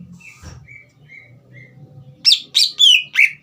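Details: Captive green leafbird used to prompt a young bird to sing: soft short whistles and a low hum at first, then four loud, ringing downslurred whistles in the final second and a half.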